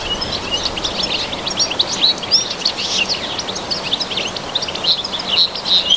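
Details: European goldfinch singing in the wild: a continuous, rapid, high tinkling twitter of short chirps and slurred notes, with a few brighter ringing whistles standing out near the end, over faint steady background hiss.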